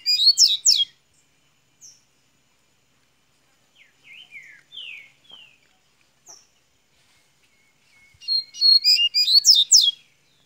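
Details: Opening song of a double-collared seedeater from Minas Gerais, Brazil: a rapid high twittering burst, scattered soft downslurred whistles, then another loud fast chattered phrase.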